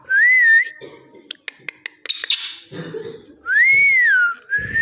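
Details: Parrot, said to be talking, gives two long, clear whistled notes that rise then dip, separated by a series of sharp clicks and taps, with a short whistle returning at the end.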